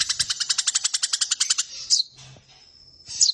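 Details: Eurasian tree sparrow in a fight pours out a steady roll of fast, high chirps for over a second and a half. A couple of thin squeaky notes follow amid near-silence.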